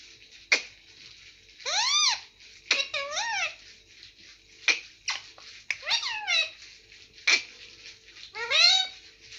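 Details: Caged pet rose-ringed parakeet imitating human speech, saying mummy and papa: a run of short, hoarse, rising-and-falling word-like phrases interspersed with sharp clicks, repeated about every second or two in a small room.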